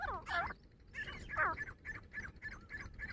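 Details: Fighting grey francolin, a female called dhakni teetar, with several overlapping harsh, wavering calls at first, then a run of shorter choppy notes repeated rapidly in a busy, noisy stretch.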